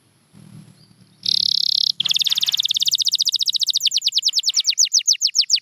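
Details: A champion canary sings for song training. A soft low murmur comes first, then a harsh buzzy trill, then a long rapid trill of sharp notes that slowly loosens into a slower rhythm.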